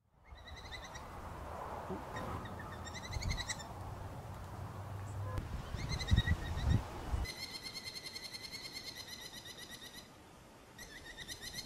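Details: A lone Blue Jay at the height of breeding season imitates nearby courting Merlins, likely to add to its repertoire rather than as an alarm: shrill falcon-like bursts, then a fast ringing kee-kee-kee chatter over low wind rumble.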